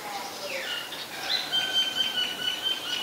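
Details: Common myna in Ubon Ratchathani, Thailand, 15 March 2021, Nikon P1000 recording: a quiet sequence of thin, drawn-out whistles and a sliding note over soft background noise.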